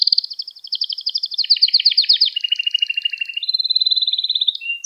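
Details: Canary singing a lesson song for young birds: a continuous chain of rolling trills that shift in pitch and speed, some deep and rattling, others high and sweet, with no other sounds.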